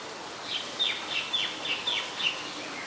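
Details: Olive-backed sunbird (Cinnyris jugularis) at a house, recorded at 5:29 PM on 23 March 2021, gives a quick run of thin, high chips and short downslurred notes, about three a second, over a faint background hiss.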